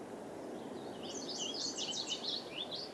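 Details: Wild birds singing at 7 AM on 6 June 2014 beside the Merced River in Yosemite Valley: a quick run of high, thin, sweet notes rising and falling, over the steady rushing roar of the river.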